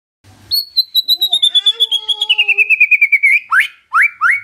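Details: White-rumped shama song as a lure to trigger response: a long trill of rapid notes gradually falling in pitch, followed by loud upslurred whistles.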